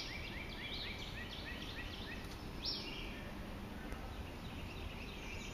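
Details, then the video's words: Acadian flycatcher at Ocmulgee National Monument, Macon, Georgia, 4 May 2012, gives a quick run of thin, high chips, then one sharp, explosive upslurred note, over a steady low background rumble. "Acadian Flycatcher calls"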